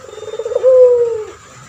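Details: Brief fragment from a male puter pelung turtle dove used for training other birds: a buzzy, pulsing lead-in runs into a single clear, steady coo that fades downward.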